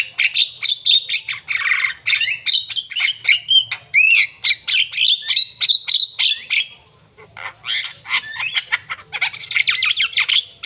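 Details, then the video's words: Javan myna singing energetically, mixing rising and falling whistles with rasping, buzzy bursts in a fast, varied stream that pauses briefly midway before harsh noisy notes resume. "jalak kebo gacor"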